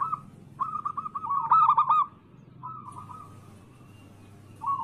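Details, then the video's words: Anggungan-type local zebra dove lure song meant to make rivals call. A brief coo, then a quick rolling phrase of soft notes, followed by quieter drawn-out coos and mostly low hum. "Pancingan harian burung perkutut Anggungan Lokal gacor suara Bikin Lawan langsung Bunyi"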